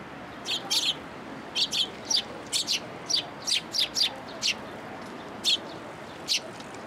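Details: Sparrows gathering at a post to be fed at a Tenmangu shrine, 22 October 2022: a lively series of loud, short high chirps, often in pairs, about a dozen in seven seconds, with faint distant noise.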